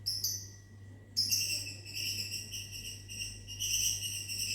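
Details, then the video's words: Lovebirds in a small aviary on a morning, answering whistling. A steady, shrill, high-pitched run of tonal chirps with a brief pause near the start, then continuous bright chattering to the end. "Disiul Lovebirdnya Nyahut Mantab"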